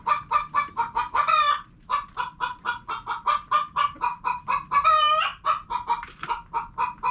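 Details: Hens clucking steadily in a rapid series of short, hoarse, mid-pitched clucks, broken by two longer, louder, rising squawks.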